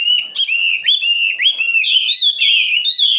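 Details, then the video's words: Common nightingale, 2016, giving loud, clear whistled phrases that rise and hold, with sliding upslurs and a steady high tone running through the whole passage. "Best singing nightingale 2016"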